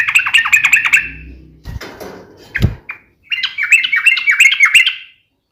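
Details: Yellow-vented bulbul delivering a sharp, rapid-fire fighting song to make other bulbuls respond. Fast, bubbly warbled chirps come first, then a brief low knock and a few scattered notes, then another lively run of rippling chirps.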